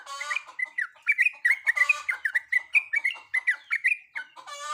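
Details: Sooty-headed bulbul female in breeding condition calling a male: quick, lively run of whistled, bubbling notes, framed by harsh nasal squawks at the start and end.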